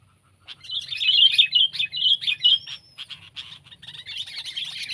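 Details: Sooty-headed bulbul, kept as a pet or living wild: a loud run of jumbled, squeaky chirps, followed by softer chattering notes that carry on to the end.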